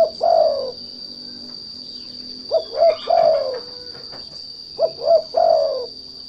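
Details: Spotted dove (derkuku) lure call for provoking untrained doves to sing: coo phrases of two short notes and a longer descending coo, about every 2.5 seconds, over a steady high electronic whine.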